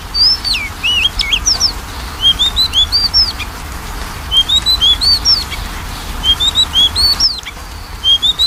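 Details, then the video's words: Magpie-robin singing, played to coax a lazy bird into song: repeated bright whistled phrases of two to four rising notes, separated by short pauses, with a faint background hum. "PANCINGAN KACER MALES BUNYI"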